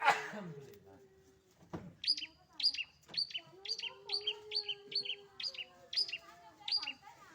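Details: Pet long-tailed shrike in lively song: after a harsh opening noise, a steady series of short, sharp, high two-part notes repeats roughly every half second over a faint low tonal hum.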